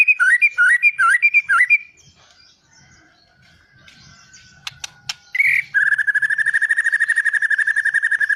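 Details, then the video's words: White-rumped shama song: a run of rapid looping whistled phrases, a pause with a few sharp clicks, then a long steady series of fast buzzy pulsed notes held at one pitch. "Suara muray matap"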